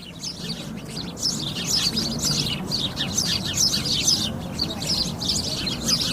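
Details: Many sparrows chirp at once, bright short tweets in quick irregular bursts growing louder after the first second, low rumble beneath.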